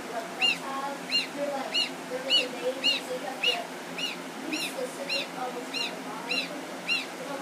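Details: New African goose goslings, with a gander and two geese nearby: clear, high, down-curving peeps about two per second, steady and insistent, with softer lower calls and a faint background hum.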